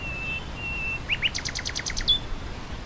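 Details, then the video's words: Nightingale singing over grassland wind: long pure whistles, then two upslurred notes and a fast series of repeated clicking double notes, ending in a sharp high note, with steady wind hiss beneath. "Wind through grassland and nightingale birdsong"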